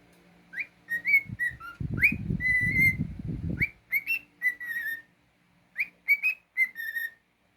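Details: Clear whistled phrases from a pet cockatiel, rising slides and sustained flat notes repeated in groups, with low rumbling noise through the early part.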